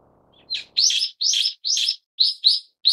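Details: Harsh, scratchy calls of a Brown-eared bulbul, subspecies harterti: three longer rasping notes, then shorter shrill notes in pairs, loud against an otherwise quiet background.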